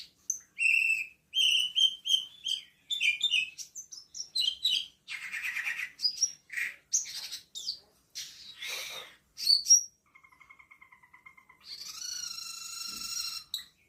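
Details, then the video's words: Black-winged myna (cucak keling) singing continuously, called gacor teler: opens with clear whistled notes repeated in quick pairs, then squeaky and rasping phrases, a long thin steady whistle, and a final harsh buzzy note. "Cucak keling / camperling gacor teler."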